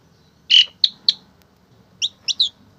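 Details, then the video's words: Tame Asian pied starling: one loud harsh note, two short sharp chips, then a pause and three brief squeaky upslurred notes. "Burung Jalak Suren Yang Paling Jinak"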